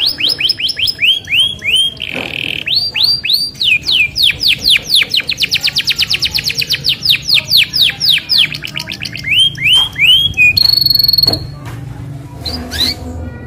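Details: Isabel canary's long rolling song, played to coax other canaries to sing: rapid chains of rising whistles, a short buzzy burst, fast dense trills lasting several seconds, then a thin high held tour.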